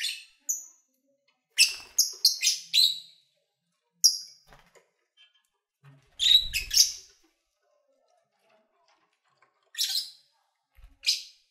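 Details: Lovebirds kept as pets, recorded while eating and playing, utter short, sharp high chirps and rasping squeaks in irregular clusters separated by silences, with a soft low knock midway.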